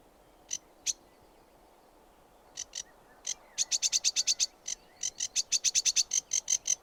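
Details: Sedge warbler singing: a few scattered, sharp, high ticking notes, then a fast run of short, dry, repeated clicks that speeds into a rattling chatter, with brief pauses between bursts.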